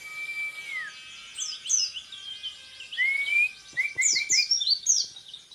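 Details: Orange-headed thrush, a contest hopeful, singing in the tembakan repet style: a long level whistle sliding down, then a rising whistle and quick runs of sharp, high downslurred notes repeated in bursts, with faint steady tones behind.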